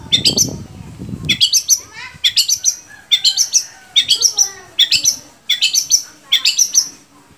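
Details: Captive long-tailed shrike from Indonesia, its opening masked by a low rumble, followed by regular paired harsh chattering phrases repeated about every 0.8 seconds.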